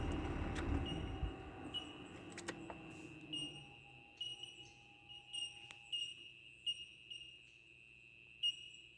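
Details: Bell Miners by a dry gravel road near Ebor on the Waterfall Way, northern New South Wales, Australia: a chorus of high, clear, bell-like pings several times a second over a steady ringing tone (a fridge); car engine rumbles, then stops.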